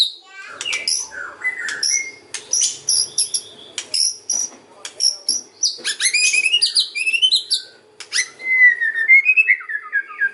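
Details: Kretekan and ocean style white-rumped shama song for luring other birds: sharp high chips and short whistles in bursts, a dense jumble of rapid notes around the middle, ending in a lower warbled phrase, over a faint hum.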